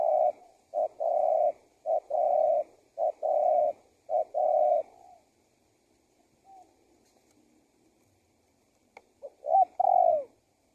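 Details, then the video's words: Spotted dove (tekukur) call used as a lure so wild doves come and join in calling. Low, hollow cooing phrases repeat in a quick series for about five seconds, then a pause, then one more cooing phrase at the end. "SUARA TEKUKUR GACOR PALING AMPUH UNTUK PIKAT BURUNG LIAR"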